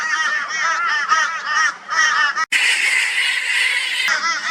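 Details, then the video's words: Crows reacting to a barn owl's presence near Brisbane, Australia: a rapid run of raucous, arched caws, then a sudden stretch of loud, broad hissing noise after a short break. "Crow Reacts to Barn Owl with High Volume Raucous Noise"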